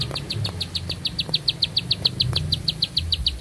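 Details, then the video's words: Bar-winged prinia, a strongly singing bird with long breath, sings a long, fast string of high, sharp chirps, about seven a second, held steady over a low background rumble. "Nafas Panjang, Nembak Satu Lagu, Ciblek Sawah Gacor"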